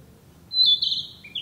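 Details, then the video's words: In the woods, a Narcissus flycatcher delivers one sweet whistled phrase: a thin rising lead-in, a loud warbling middle, and a lower closing note, with faint low background rumble. "「キビタキ」 林の中 美しい声でさえずる “Narcissus Flycatcher” sings a sweet song in the woods"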